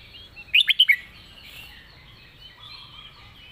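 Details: Red-whiskered bulbul kept as a cage competition bird, singing a clearly phrased master song: one quick burst of four bright, whistled notes, then a quiet hiss of background noise.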